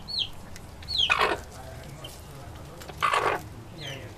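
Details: Chickens feeding, making two harsh broadband clucks about two seconds apart, mixed with high descending squeaky peeps and a constant low hum.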